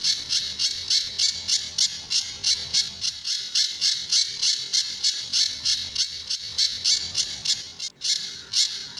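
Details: Pijantur, the Sunda bush warbler, sings a tembakan and besetan style training song for other birds: a long unbroken run of sharp, scratchy high notes repeated roughly three times a second, with one brief click near the end.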